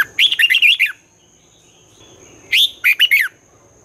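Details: Twisting-style morning song of a red-whiskered bulbul used to coach young birds: two lively bursts of slurred, warbling whistles about two seconds apart, over a steady thin high tone.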